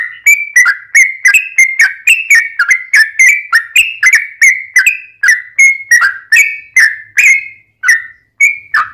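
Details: Sooty-headed bulbul lure song meant to make other bulbuls reply: continuous sequence of loud whistled notes, each dropping or rising in pitch, delivered roughly twice per second with varied phrasing.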